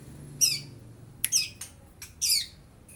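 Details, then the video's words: Young long-tailed shrike, beak still partly pale, repeats rough, scratchy high squawks and clipped chirps, some in quick pairs, while mimicking lovebird and house sparrow voices; faint low hum underneath. "Pentet muda prospek isian Lovebird, suara burung greja"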